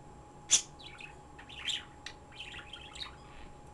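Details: A pet bird at home gives one sharp loud chirp, then softer scattered high twitters, with a steady background hum and faint high whine throughout.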